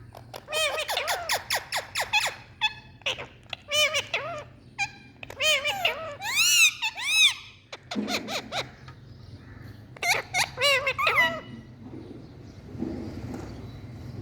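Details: Indian parrot saying "Mithu Mithuu" in bursts of quick, nasal, arched syllables with squeaky high overtones. Several clusters are spaced a second or two apart, with a low hum and a softer hiss near the end.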